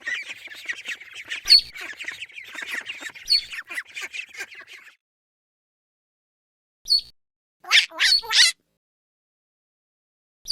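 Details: Ducklings calling: a dense run of high, thin peeps for about five seconds, then silence broken by a few short bursts of sharp, loud squeaky cheeps.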